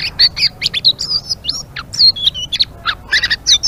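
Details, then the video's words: Energetic 'ngeriwik' song of a blue-winged leafbird, quick varied phrases of high wavering whistles, clipped chirps and a few rough squawky notes, rattled off in close succession. "Suara Burung Selendang Biru Gacor❗❗ Ngeriwik"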